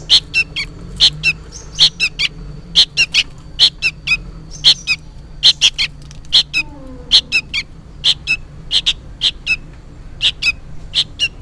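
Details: Noisy juvenile sooty-headed bulbul, seemingly calling for its parent, repeats high piercing chirps in pairs and triplets at an irregular pace, about thirty-five calls a minute, with faint lower chatter and a low hum behind.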